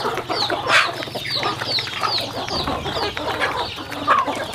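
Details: Chickens eating at a farm, a chorus of thin, falling peeps repeated steadily, one louder chirp near the start, over a soft low hum.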